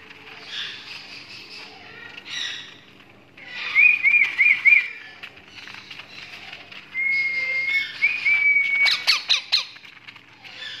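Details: Creamino rose-ringed parakeet (ringneck) baby chicks give raspy, high squawks, then a quick wavering trill and a long, thin, level whine ending in a few sharp clicks.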